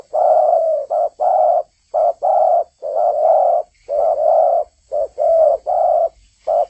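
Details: Spotted dove in full, loud song. Rich coo pairs, a clipped note followed by a broad sustained coo, repeat rapidly and evenly over an almost silent background.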